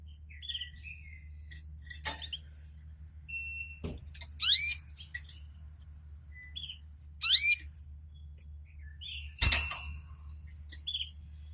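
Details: Male canary singing beside its female mate as she tends their first egg and adjusts the nest: scattered high chirps and whistles broken by loud, sharp, rising sweeping bursts every few seconds over a low steady hum.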